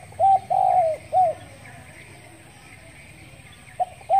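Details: Morning calling of a spotted dove, dated 10 February 2021: a run of three hollow, even coos, the middle one drawn out, then a pause of over two seconds before the phrase starts again with short coos.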